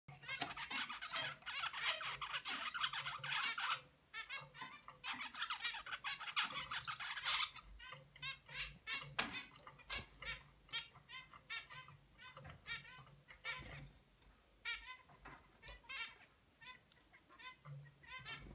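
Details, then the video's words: Young zebra finch trying to sing like its father; a long burst of dense, harsh buzzy chatter gives way to rows of short, stacked, nasal notes in uneven runs, at times quick and scratchy, with soft low hum underneath. "Zebra finch baby trying to sing."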